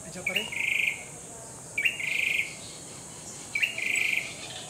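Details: Grey-backed tailorbird song of three phrases, each a brief upslurred note leading into a fast buzzy trill, spaced about 1.7 seconds apart over a constant high-pitched insect drone.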